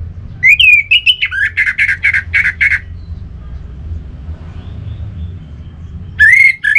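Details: Orange-headed thrush in energetic lure song meant to make other thrushes sing loudly: a wavering whistle breaks into a rapid run of harsh, scratchy notes. After a pause, a fresh whistled phrase begins, with steady low hum underneath.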